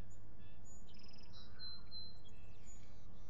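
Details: Nesting osprey pair at Salt Point filmed on 19 April 2021, shortly after reuniting to court and rebuild the nest; sharp high whistled chirps, several overlapping, come in two bursts within three seconds over a quiet low hum.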